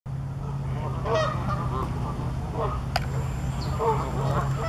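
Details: Canada geese coming in to land, giving faint nasal honks spaced a second or so apart over a steady low hum and background noise.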